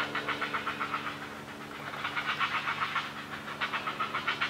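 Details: Young great blue herons clamouring as their parent feeds them, a quick run of harsh, pulsing notes repeated roughly four times a second, with a low steady drone behind.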